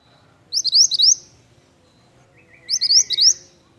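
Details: Pied bush chat in active song: two bursts of bright, high, rising whistled notes, each burst a quick series of about four to five upslurred chirps, the second with a lower, slurred whistle before it; background nearly silent.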